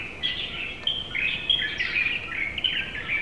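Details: A pair of Japanese white-eyes outside a home window, recorded in July 2018: a continuous, lively twitter of thin, high chirps and short trills that rise and fall, delivered almost without pause over faint background hiss.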